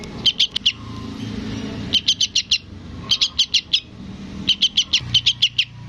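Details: Young sooty-headed bulbul calling its parent: runs of four to six evenly spaced shrill chirps, repeated with short pauses, above a soft low hum.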